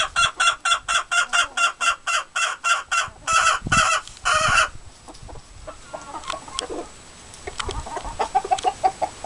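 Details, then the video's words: Singing White Leghorn chicken in the coop, with other hens and a rooster nearby: a fast, steady series of loud clipped clucks, a few longer drawn notes, then quieter scattered clucks and soft murmuring calls. "Whte leghorn singing"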